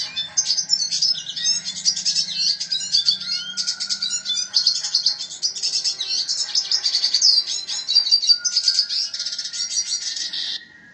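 A red siskin sings a fast, continuous run of high twittering, buzzy trills and chatters without pause, with a faint low hum underneath.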